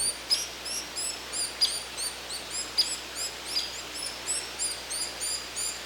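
Hairy woodpecker giving short, sharp, high-pitched notes, a dozen or so over several seconds at an uneven pace, with faint background hiss.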